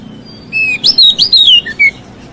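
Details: White-rumped shama in song that provokes other shamas, a quick sequence of about six whistled notes with upward flicks and downslurs, closing on two lower soft whistles.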